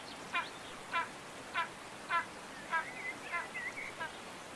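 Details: Spanish imperial eagle in Toledo province, Spain, December 2019, giving harsh barking notes about every 0.6 seconds, about six in a row, followed by thin wavering whistles, with a steady background hiss.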